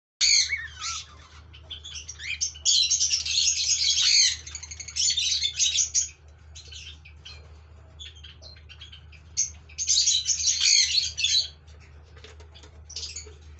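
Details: A cockatiel family in an aviary chirps and chatters in bright, harsh bursts, with a low steady hum beneath.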